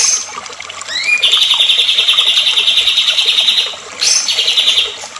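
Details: Excited white-rumped shama song to provoke other shamas: a rising whistled slur, then a long fast even trill lasting about two and a half seconds, repeated after a short break.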